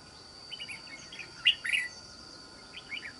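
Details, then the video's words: Wild-caught red-whiskered bulbul, island-forest voice type, singing short fluty warbled notes in scattered bursts, with a louder twisting phrase in the middle, over a faint insect hum and steady background tones. "Bẫy Chào Mào. Mau Mỏ . Bung Xoè.Gốc Mào Cao Dày . Giọng Rừng Đảo Tốt"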